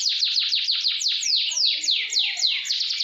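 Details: Fast canary roll song for training other canaries: a steady run of sharply descending notes repeated about three to four times a second, bright and continuous.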